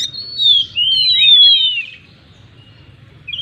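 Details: Oriental magpie-robin giving long, clear, slowly falling whistled phrases that overlap for about a second and a half, then fading to near-silence with a short high note at the end.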